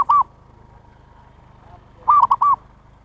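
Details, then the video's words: Zebra dove call meant to lure wild birds: the tail of one coo, then a full phrase of two arched notes around a short middle note, over a steady low hum. "SUARA PIKAT PERKUTUT นกพิราบชวา Chim Cu Vằn | memanggil burung liar"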